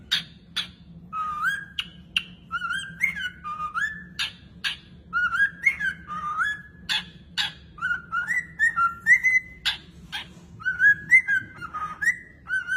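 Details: Pet parrot whistling a repeated melodic phrase of short stepped notes, rising and falling, with sharp clicks between phrases over a low indoor hum.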